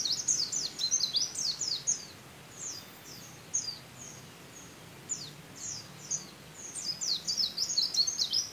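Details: A white-eye trained with canary song sings rapid, high, thin twittering phrases with quick descending notes in canary style, in bursts with brief pauses; faint low background hum.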